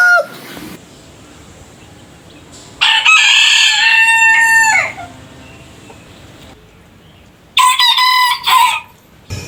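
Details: A rooster delivers a strong two-second crow that falls at the end, followed after a quiet pause by a shorter, clipped crow and a brief last burst.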